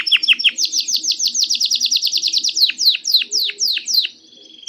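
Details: Canary song meant to prompt other canaries to sing: long run of rapid downward-sweeping chirps, about five per second, slowing into broader slurred notes and fading to a soft tone.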